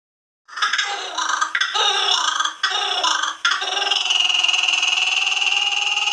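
A kookaburra gives loud, harsh, rollicking chuckles in bursts about a second long, building into a sustained, raucous cackle.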